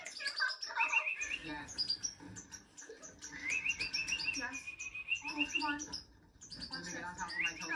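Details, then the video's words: Hand-tame European goldfinch singing a bright twittering song of high chirps, with a sustained rolling trill in the middle and again near the end, over a person talking quietly indoors. "Hand tame goldfinche"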